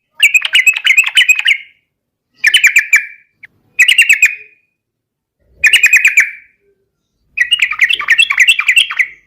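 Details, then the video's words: Vigorous 'garuda' style song of a yellow-vented bulbul, a lure to get other bulbuls singing. Five short bursts of quick, liquid, chattering notes are spaced by pauses of about one second. "SUARA trucukan gacor garuda pancingan trucukan agar cepat gacor ropel garuda langsung nyaut"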